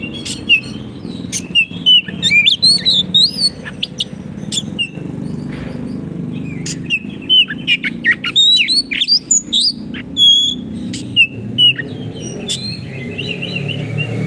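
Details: Oriental magpie-robin (kacer) singing 'gacor' masteran song for caged birds that have gone quiet: scattered whistled slurs and sharp chips over a constant low rumbling background noise.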